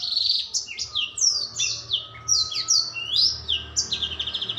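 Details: Young black-throated canary kept in captivity sings a lively string of sharp, high down-slurred notes and short trills packed closely together, with a faint constant tone and low background rumble.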